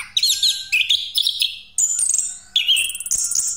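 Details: Rolling pastol-style song of an orange-headed thrush used as a lure: bright whistled notes and high buzzy slurs in quick bursts, each phrase jumping between pitches, with a faint steady tone underneath.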